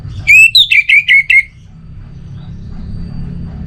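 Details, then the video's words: Orange-headed thrush uttering a brisk whistled phrase: a falling whistle, a higher slurred note, then a rapid series of four or five clipped, ringing notes, followed by quiet low hum. "Obat Gacor Burung ANIS MERAH Buat Burung Yang Lagi Malas Bunyi"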